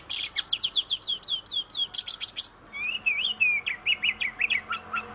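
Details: Oriental magpie-robin (kacer), Indonesian songbird of gardens, fields and forest; fast series of buzzy down-slurred notes followed by wavering whistles and a run of short descending chirps.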